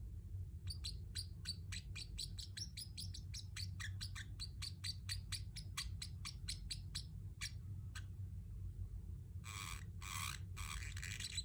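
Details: Pacific parrotlet, a pet bird, letting out a fast rattling string of short high chirps that slows to a few spaced notes, followed by several harsher, broader squawky calls near the end; steady low hum.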